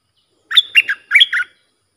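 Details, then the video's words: Sooty-headed Bulbul song for teaching young birds, sung in the sap dok, boem and rik styles: a single lively phrase of quick, liquid whistles, two grouped notes, a pause, then two more. "เสียงนกดอกแตงEp.122สำหรับหัดลูกป้อน/ลูกเสอ มีครบในครบในคลิปเดียว สับดอก-เบิ้ล-ริก เพลงเพราะน่าฟัง"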